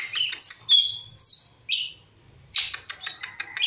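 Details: Long-tailed shrike chirping in the morning: loud, varied bursts of sharp chirps, slurred whistles and rapid clicking notes, a brief pause near mid-clip, then a dense run of rattling chirps, over a faint low hum.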